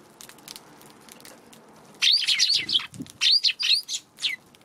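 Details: Eurasian tree sparrows cautious of a Godzilla figure near where they feed, March afternoon; near quiet at first, then a sudden burst of overlapping chirps followed by spaced single notes.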